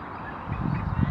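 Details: An American coot by the LML pier in the NWR on 21 May 2012 gives two short, low, nasal honks about half a second apart over a steady background rumble.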